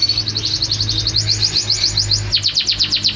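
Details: Canary singing, recording unedited: a rapid, evenly repeated high trill of sharp notes, then steeper sweeping downslurred notes in quick succession. A steady low hum runs throughout.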